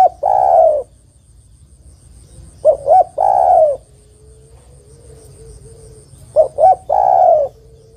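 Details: A spotted dove, described as a female calling to a male, coos three times: quick soft notes then a long rolling low coo, about every three seconds, with a faint steady hum between phrases.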